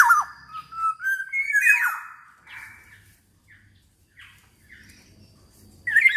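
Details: Actively singing black-naped oriole, a recording meant to coax other orioles into song: rich mellow whistles gliding up and down in a phrase lasting about two seconds, then quiet with faint notes, and a sharp whistle at the end.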